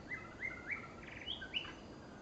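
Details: Female white-rumped shama in a quick series of six bright whistled notes, rising slurs and flat whistles alternating, some with a buzzy edge, over steady low hiss.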